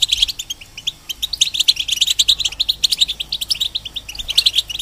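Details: Caged European goldfinch, part of a breeder's goldfinch and hybrid stock, sings a lively string of sharp twittering notes, starting after a short gap and building into a fast, tinkling sequence.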